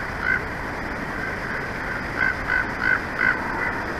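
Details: Bald eagle at a nest in Big Bear Valley, caught by a live nature cam on 8 March 2024 at 11:45, giving short high chirping notes in a loose series of about three per second over steady rushing wind noise.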